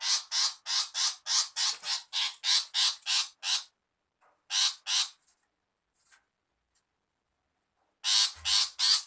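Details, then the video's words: A female long-tailed shrike screeches in rasping bursts, roughly three per second, then falls silent for several seconds before another short run of grating notes. "Pikat burung pentet betina"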